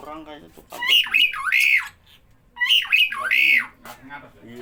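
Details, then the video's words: Starling that always calls whenever people are around, giving loud, harsh, buzzy two-part squawks that rise and fall, twice in a few seconds, with a human voice talking before and after. "Burung Jalak Bila ada orang selalu bunyi"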